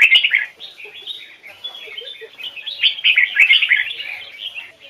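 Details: Red-whiskered bulbul from a bird-training series, singing the standard-voice double-note Hoài Sơn forest style: a dense run of bright, chattering whistled phrases, loudest in the first half-second, then busy warbling throughout.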